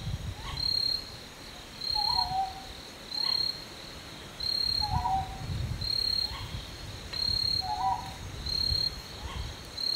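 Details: A Northern Boobook (Ninox japonica totogo), foraging and preening, gives soft paired hoots, 'hoo-hoo', repeated every second or two, over a steady high cricket trill and low rumbling background noise.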